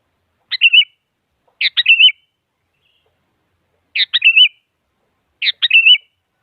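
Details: Sooty-headed bulbul singing to challenge a rival and spur a silent bird into song; four phrases, each a buzzy stuttered onset followed by a wavering fluty whistle, delivered in close pairs with a pause between.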